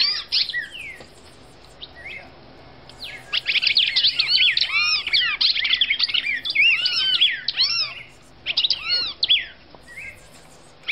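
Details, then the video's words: Brazilian female red-crested cardinal gives a sustained run of rapid arched whistles, about three notes per second, loud and ringing, framed by a few scattered chirps at the start and end. "1 Hora da Melhor Fêmea de Cardeal Vermelho do Brasil"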